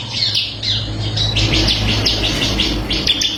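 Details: Short run of high, slightly harsh chirps from a bar-winged prinia of the crystal variety, recorded for tutoring songbirds, repeated quickly over a noisy low background.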